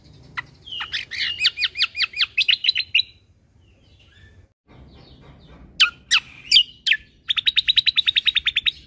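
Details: Caged Cucak kombo, tutor song with 'tembakan' shots: a fast run of ringing repeated notes, a pause, then loud sharp whip-like sweeps and a final rapid trill of bright even notes.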